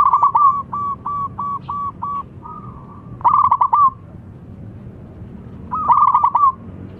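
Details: Calling local zebra dove, with a rival replying at once: a run of six short evenly repeated coos, then a soft held note and two louder rolling phrases of fast pulsed cooing.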